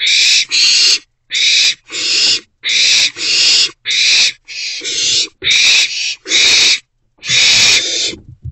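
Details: Wild owlets, three together in a nest box, morning of 13 April 2024; rapid run of about a dozen short harsh hissing screeches, roughly two per second at times, with small gaps between.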